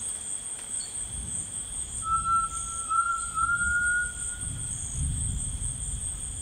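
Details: Pure, clear whistled note from a Grey Tinamou in rainforest, held almost three seconds and climbing gently before fading. Droning insects hold a continuous high tone beneath it.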